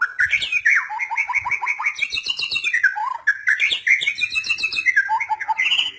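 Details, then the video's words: White-rumped shama singing a varied, rich song of whistled phrases, quick repeated chips and sweeping slurred notes that rise and fall, delivered in two continuous bursts with a short pause between. "KICAU MANIA, MURAI BATU"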